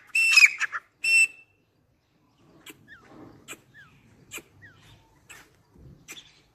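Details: Two loud, shrill whistled calls from a grey francolin, or dakhni teetar, open the recording, followed by quiet, scattered clicks and soft distant chirps.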